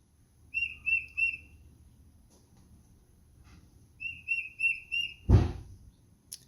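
Tufted Titmouse singing two runs of clear whistled peter-peter-peter phrases, three or four notes each, with a pause between; a brief thump near the end.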